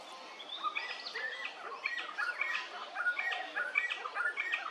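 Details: Little friarbird at Hervey Bay, Queensland, giving a busy stream of clipped, bright notes mixed with harsher squawky ones, bunched in quick clusters, with soft outdoor noise behind.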